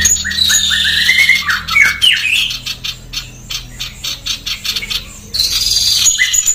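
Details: Female sooty-headed bulbul in fast, dense, harsh song used for training songbirds: bursts of short chattering notes at the start and end, separated by a stretch of steady pulsing rasp.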